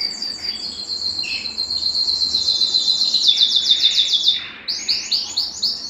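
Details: A Belgian canary sings a warm-up song meant to stimulate males and females: a long, bright rolling trill of rapid high notes, about four per second, then a fuller, chopped phrase.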